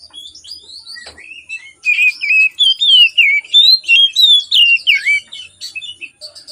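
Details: Oriental magpie-robin in morning song, a lure for reluctant singers: soft high twitters give way to a string of loud, rhythmic, wavering whistled notes repeated about twice a second.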